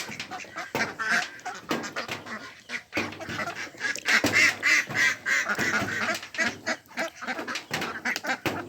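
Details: A pond flock of mallards, Pekin and Mandarin ducks calling in a fast, uneven chatter of raspy quacks, several birds overlapping, with a louder run of calls in the middle.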